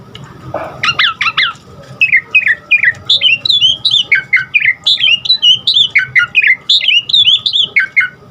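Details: Asian pied starling in full varied song, played to train caged starlings; a fast series of short whistled notes, each bending upward then down, repeated roughly twice a second with shifting pitch, against a low steady hum.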